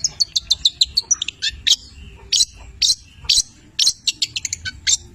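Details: Cililin Long-tailed shrike of the 'petir' type in lively song with labet and canary imitations; a quick even series of high ticking notes, then louder scratchy bursts spaced about half a second apart.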